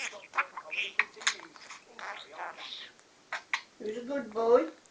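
A budgerigar chatters in quick, scratchy bursts, imitating human words, with a person talking nearby.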